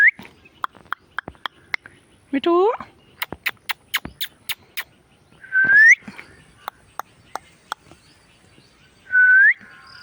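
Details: Indian ringneck parrot making a rough harmonic squawk and two rising whistled calls, with many sharp clicks or taps in between.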